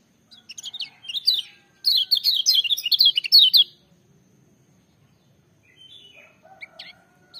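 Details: Lemon-bellied white-eye singing loudly at full power: several quick bursts of high, thin twittering notes, then a dense run of rapid chirping warbles lasting about two seconds, followed by faint distant chirps.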